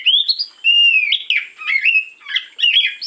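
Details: Oriental magpie-robin in morning song used as a lure, delivering loud, varied whistled phrases with upward slides, warbles and short pauses between bursts.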